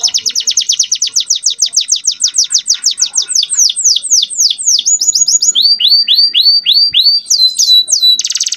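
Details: Young canary singing a full, varied song meant to provoke other canaries and bring females into breeding condition: rapid descending sweeps speed into a chain of slower downslurred whistles, ending in a brief dense buzzy trill.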